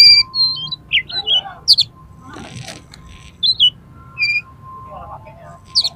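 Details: Oriental magpie-robin in an aggressive, high-emotion state, singing to make other magpie-robins open their tails: clear whistled notes, slurred phrases and sharp high buzzes, a brief noisy rasp midway, faint steady tone behind.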